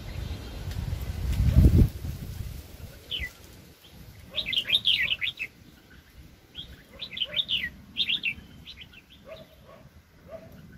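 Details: Red-whiskered bulbul, a very aggressive decoy bird in a trapping setup, 2020: a loud thump early on, then a run of short chattering whistled phrases, repeated quickly with brief gaps, over steady low noise.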